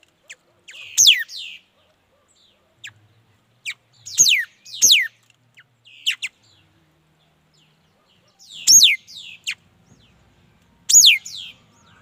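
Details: Mi dat bird song: sharp, steeply falling whistled phrases in irregular bursts over twelve seconds, some doubled, with scattered short high ticks between them and little background noise.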